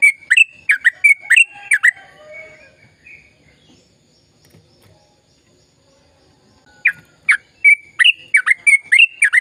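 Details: Sooty-headed bulbul in a chatty, long rapid-fire song used to get silent birds singing: a burst of quick bubbly whistles, several seconds of near silence, then another fast, bright run of chirping notes.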